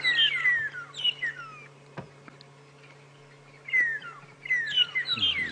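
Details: Two flocks of magpie (long-tailed) shrikes in an apparent territorial dispute at dawn, 21 August 2016, at Djuma Game Reserve in the African bush, trade two quick flurries of clear, falling whistles over a low vehicle engine hum and a single sharp click.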